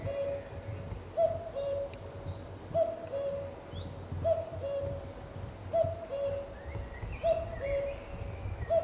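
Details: On Cannock Chase, a common cuckoo repeats its clear two-note falling 'cu-coo' about every one and a half seconds, with scattered chirps and twitters from other birds and a low background rumble.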